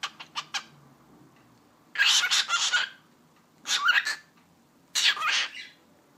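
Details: Pet cockatiel saying the Turkish phrase "eşek sıpası": several sharp clicks first, then three raspy, hissing speech imitations with a faint tonal glide, roughly a second or more apart.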